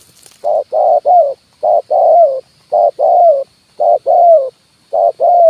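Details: Spotted dove "kuk 1" decoy call for luring wild birds onto branches and ground: a fast run of five low cooing phrases about one second apart, each short clipped notes leading into a longer falling note, backed by a faint high hum.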